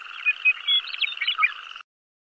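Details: Oriental magpie-robin (kacer) competing at the Presiden Cup IV songbird contest in Senayan, Jakarta, on 2 October 2016, where it placed runner-up; brief bursts of varied whistles and chattering notes, with sharp rising and falling phrases, lasting under two seconds.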